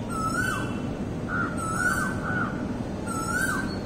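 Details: Myna recorded in April 2023: repeated clear whistled notes, level then dropping in a short downslur, given in small groups, over steady low background noise.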